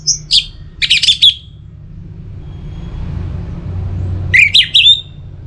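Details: Orange-headed thrush singing, used as a lure to keep caged birds in song through wet and dry seasons: short bright phrases of quick, high notes, a quiet gap of about three seconds with low rumble, then another sharp burst of twittering phrases.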